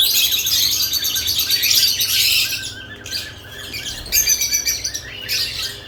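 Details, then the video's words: Flock of lovebirds at nest boxes producing a continuous wash of shrill, high chattering, then a short lull before more scattered squeaky chirps and bursts. "Lovebirds add nest boxes activity & chirping sounds"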